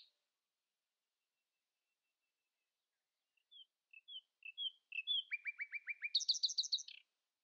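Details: Early-morning song of a common nightingale, which will not let rivals sing louder: quiet scattered notes build into a fast string of sharp chirps, ending in a rapid buzzy rattle. Background otherwise silent.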